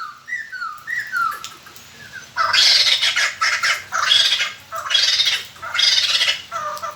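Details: White-crested laughingthrush as a lure for wild birds: a few descending whistled notes, then loud, harsh, noisy cackling bursts repeated about once a second, like raucous laughter.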